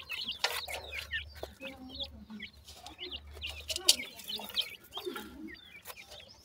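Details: Black francolin chicks peeping: many short, high, downslurred chirps overlap through the whole stretch, with sharp clicking knocks and a low hum underneath.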